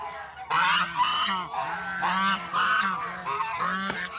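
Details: Walking geese searching for food in the countryside give clear, harmonic honks, individual calls sliding slightly in pitch, repeated in a steady flock chatter.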